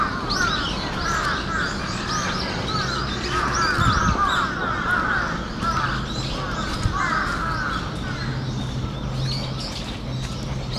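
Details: Crows calling in an outdoor setting, calls said to be an earthquake warning, recorded 4 November 2015 in Japan; many overlapping harsh, harmonic caws and chattering notes run continuously through the clip under steady background noise.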